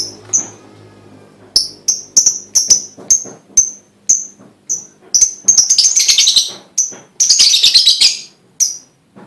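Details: Lovebird chirping to get other lovebirds singing: evenly spaced sharp high chirps about twice a second, broken by two dense bursts of rapid chattering trill.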